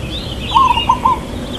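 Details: One short phrase from a local zebra dove known for a long "kuk": a drawn-out first coo followed by two clipped coos, low and mellow, with a thin whistling bird above.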